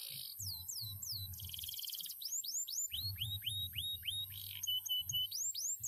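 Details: Canary, once a contest bird, singing a run of clear downward-sweeping whistles repeated about twice a second, with a short buzzy trill near the start and a steady low hum underneath.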